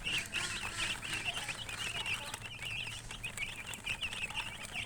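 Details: Colored chickens, called murgi hen, chirping: a dense, continuous chorus of high, wavering peeps from several birds overlapping without pause, over steady background hiss and faint low rumble.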